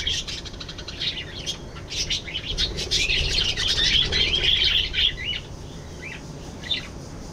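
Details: Budgerigars calling, a dense busy chatter of short chirps and warbles packed at high pitch, running almost continuously for five seconds before thinning to a few scattered notes, over a low background rumble.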